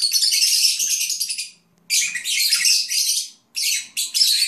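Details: Lovebirds (Agapornis) chattering while dozing, in dense, raspy, high-pitched bursts of rapid twittering, three runs of about one to one and a half seconds with brief pauses.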